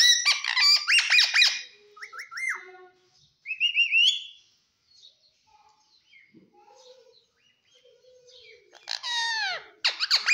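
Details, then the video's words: Green pet parrot vocalizing in bursts: dense scratchy chatter, then rising whistled notes and short squeaks, a quiet stretch of soft murmurs, and a loud harsh, descending squawking burst at the end. "parrot talk everything cute talking funny"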